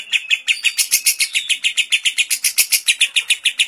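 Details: Lovebird in kapas tembak style giving a long ngekek, a training recording for lovebirds: fast, slightly uneven rasping notes in a steady stream, with a short thin whistle early on and a few clicks.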